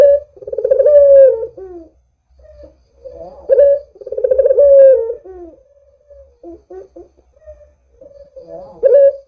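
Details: Barbary dove (puter) calling steadily as a lure to set other doves calling: low purring coos, each with a rolling trill and a drawn-out ending, repeated about every three seconds with softer short notes between.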